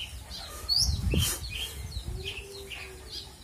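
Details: A kept Horsfield's bush lark (branjangan) singing its full repertoire: quick, scattered high chirps and short sweeping notes, with a burst of low thumping, like wing flaps or handling, near the start.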